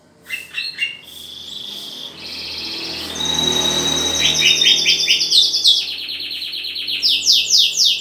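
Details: Green leafbird during pairing: a few sharp chirps, then long, rapid, trilled chattering with a sustained high whistled tone, building into dense buzzy trills toward the end.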